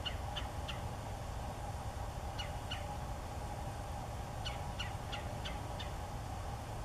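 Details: Bald eagle feeding eaglets at Oscar Scherer State Park, with thin, high chittering notes in quick bursts of two to five over a steady low rumble of wind or distant traffic.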